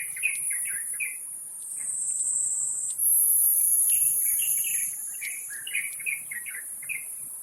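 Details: Brood-feeding wild Taiwan Blue Magpies at Taipei Zoo, 2022-05-07, late morning at 11:43. Coarse, clipped chatter notes repeat in groups across the whole stretch. An intense high insect whine swells midway.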